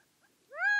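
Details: Gambel's quail, a desert ground bird, giving the start of a loud, nasal call that swoops upward and then holds steady, clear against a quiet background.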